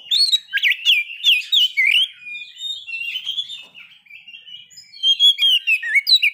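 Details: White-rumped shama song played to provoke breeding condition and aggression in kept birds: loud whistled notes that swoop down and up, interleaved with sharp clicks, a quieter warbling stretch in the middle, then rapid high chips at the end.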